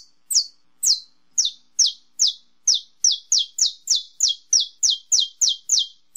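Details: Saffron finch giving its 'estalo' song: well-spaced, high, sharply falling chip notes that gradually quicken into a dense, regular train of about sixteen snaps, heard alone in quiet surroundings.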